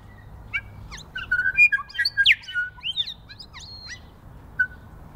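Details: New Zealand bellbirds feeding in snow on the first day of spring; a busy run of chirps, clear whistled notes and fast sweeping slurs, several overlapping, with a short whistle trailing off at the end.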